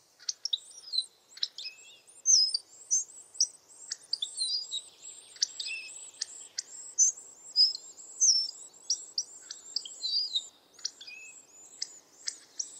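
Hawfinch giving sharp, high, clipped ticking notes in a rapid, uneven stream of short bursts with brief squeaky phrases. No other sounds stand out.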